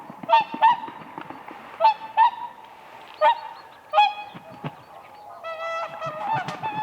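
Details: Whooper swans dancing on ice at a lake in spring: loud trumpeting honks come singly and in pairs, with softer overlapping honks from other swans in the background.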